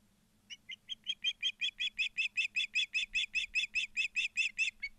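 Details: At their Montana nest near Charlo, ospreys deliver an accelerating series of loud, high, whistled chirps, building to about two or three per second and lasting over four seconds; recorded by a live cam, 12 September 2023.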